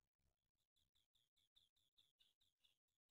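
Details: A black francolin gives its winter call, a rapid run of short, high, scratchy notes at about four per second over a faint low rumble.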